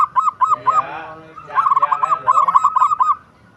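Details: Local zebra dove (perkutut) cooing: a few separate rounded notes, then a short stretch with a faint, buzzy humming sound. A rapid, rolling series of coos follows and fades into quiet.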